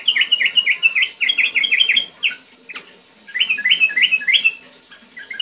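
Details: Sooty-headed bulbul singing rapid rolling 'ngetir ngerol' phrases: a quick series of downslurred whistles, a short break with a single sharp note, then another burst of bright chirps.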